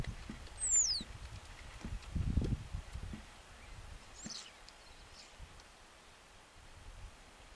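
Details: A common starling of the Shetland subspecies (Sturnus vulgaris zetlandicus), Shetland, UK, in July 2013, gives one sharp, high whistle that slides steeply down, then a fainter thin note a few seconds later, over low thumps and rustling.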